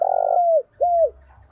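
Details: Kept decoy spotted dove cooing to attract wild doves, two drawn-out, low, steady coos, the second sliding downward at its end, with a quiet gap between them.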